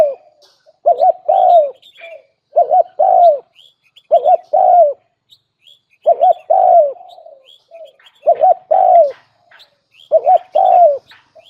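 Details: Steady series of spotted dove coos used as a lure, each phrase two quick looped notes then a falling coo, about six phrases, with scattered high chirps from other birds throughout.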